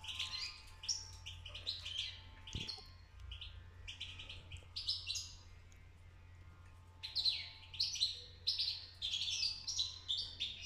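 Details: A fledgling European goldfinch beginning to sing gives rambling bursts of high, tinkling twitters and buzzy notes, pausing briefly midway, over a low steady hum.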